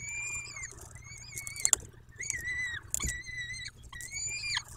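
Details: Peregrine falcon at its nest in Dobra on 14 May 2021 at 14:18: a series of long, harmonic, plaintive calls that hold steady then drop, with sharp knocks and scraping between them.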